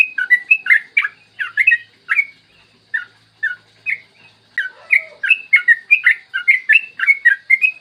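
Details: Morning song of a yellow-vented bulbul in the long-trill 'ropel panjang' style, meant to draw other bulbuls into singing. Gurgling whistled phrases run fast, pause briefly near the middle, then return in a denser, quicker rush of notes.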